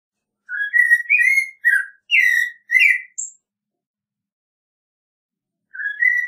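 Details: Clear whistled caroling of an American robin: five quick liquid phrases, then a single sharp high squeak, a pause of over two seconds, and one more phrase starting; background silent.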